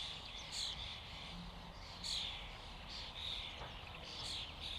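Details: Many common starlings calling together as a flock: a constant babble of scratchy chatter with occasional clearer whistled notes standing out every second or so, over low background noise.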